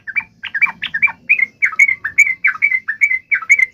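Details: Yellow-vented bulbul giving an emotional fighting call used to provoke a reply, dense chattering series of short warbled chirps, quickening then steady, with soft low background hum.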